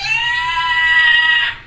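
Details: Pet Timneh African grey parrot, female, indoors, letting out a loud sustained nasal squawk, steady and rich in overtones, lasting about a second and a half before cutting off.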